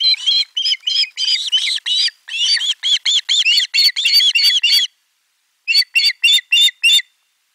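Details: Nest 4 osprey young, 18 July 2022, shrieking together when a fish arrives: quick series of piercing, slightly wavering squeals, a brief silence near the end, then five more evenly spaced cries.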